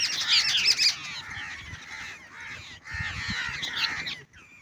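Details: Babblers at a net-trapping site for bird hunting, giving a harsh, dense chorus of overlapping chattering and squawking calls, scratchy and high, with a brief pause near the end.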